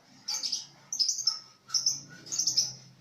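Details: Bird singing vigorously: four bursts of high, bright chirping twitters, each about a third of a second long, coming in quick clusters with short pauses between them.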